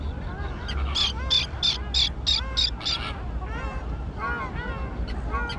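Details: Fledgling terns on a grassy island colony: a fast series of about eight loud, rasping calls in under three seconds, then quieter, falling, nasal notes from other birds against low rumbling noise.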